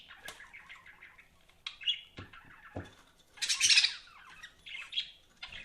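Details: Budgerigars kept as pets chatter in fast, warbled chirps, broken by a loud harsh squawk burst near the middle and a few low knocks or taps.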